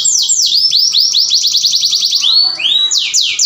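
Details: Canary mating song used to stimulate other canaries: loud, rapidly repeated downward-sliding whistles in a rolling series, then a few slower rising and falling sweeps.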